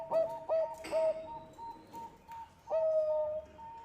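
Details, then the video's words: Lure song of a Bangkok zebra dove: short bright coos in a quick burst, a pause with faint notes, then a longer drawn-out whistled coo. "Perkutut bangkok gacor suara ampuh untuk pancingan"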